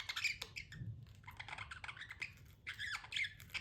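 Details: Pet budgerigar chattering quietly: soft, scratchy squeaks and rapid buzzy chirps run almost without pause, with a faint low hum underneath.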